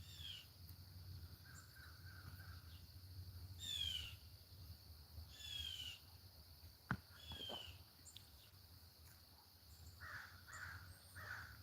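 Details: Wild crows calling near a yard with free-roaming ducks: several harsh, falling caws scattered across the clip, with a few rougher calls near the end, over a steady low hum and a faint high tone.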